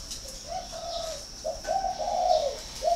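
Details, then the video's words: Northern Vietnamese spotted dove at a bird farm in Ba Vì, Hanoi, uttering soft low coos that swell into a longer, louder rolling phrase, a high continuous whine running underneath. "chim cu gáy hay 88 miền bắc"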